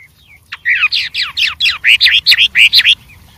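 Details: White-rumped shama singing in the wild: a quick run of about ten loud, down-slurred whistled notes, each bright and clear, given in close succession.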